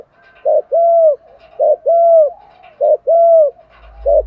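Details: Spotted dove calling to attract wild birds. Paired coos, a short hoot and then a longer arched one, recur steadily about once a second. A low hum enters at the very end.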